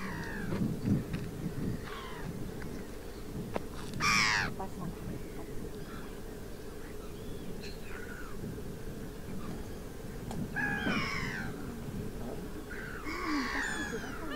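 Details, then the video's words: Water rail (Rallus aquaticus) in the Suscinio marsh, Morbihan, France, on 23 August 2022 during drought, giving harsh, piglike squeals that slide downward, several spaced a few seconds apart, over a steady low rumble. "RÂLE d'Eau/Rallus aquaticus"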